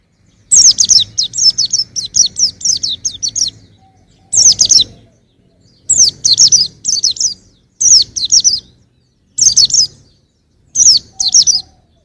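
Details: Song of a young white-eye: rapid strings of high, sharp, twittering notes, an opening run of about a dozen, then short bursts repeated roughly every one and a half seconds, with brief pauses between.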